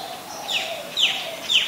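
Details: Adult Common Tailorbird, a common resident, calling at Ubon Ratchathani, Thailand, on 3 February 2023: three loud, sharp, high downslurred notes spaced about half a second apart, over a faint steady low hum.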